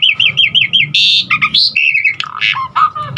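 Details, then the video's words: Varied filler song from an Asian pied starling, played to stimulate other starlings: five rapid warbling notes in a row, then a hissing burst, gliding whistles and a jumble of lower slurred notes. "Jalak Suren Aneka Suara Isian Uniknya Bikin Burung Jalak Manapun lkut GACOR Full Isian VARIASI"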